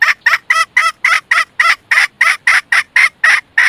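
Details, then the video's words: Decoy red junglefowl hen calling to draw in males, a steady series of short harsh clucks, around thirteen in under four seconds, evenly spaced and of even strength. "Gà Rừng Mái Làm Mồi"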